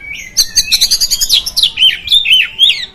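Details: Oriental magpie-robin song used to provoke other magpie-robins: a brief whistle, then a rapid stuttering chatter of high notes, easing into sweet sliding whistles that wave up and down.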